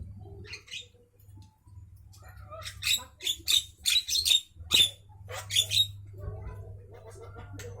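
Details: Javan myna at midday, heard close: a chattering series of harsh, grating squawks and scratchy rasps, about a dozen loud bursts in quick uneven succession, with softer nasal notes between and a low hum underneath.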